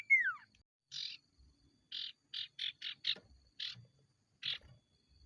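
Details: Ashy tailorbird (sirtu), 'konslet' style song used as a training lure: a loud, clear whistle sliding downward, then a run of about eight scratchy, buzzy notes, the middle ones quick and evenly spaced.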